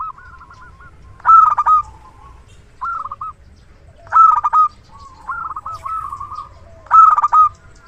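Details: Zebra dove of local stock singing strongly, kept as a decoy lure: loud staccato note clusters repeat about every three seconds, with gentler rolling coos in the gaps.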